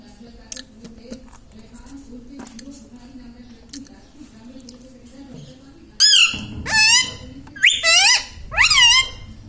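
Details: Indian ringneck parakeet mimicking words such as mummy and radhe radhe: after a steady low indoor hum, a rapid run of four or five loud, nasal, arching speech-like syllables fills the last few seconds.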